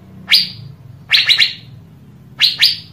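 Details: Asian fairy-bluebird (cucak biru) song, used as a lure to stimulate other birds to sing: three bursts of sharp, bright, downsweeping notes, the first single, the second and third in quick pairs or triplets, with a faint low hum underneath.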